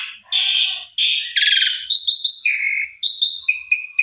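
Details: Asian pied starling singing as a lure for another bird, harsh nasal buzzes, a grating rasp, then clear whistled notes in short repeated phrases stepping between two pitches.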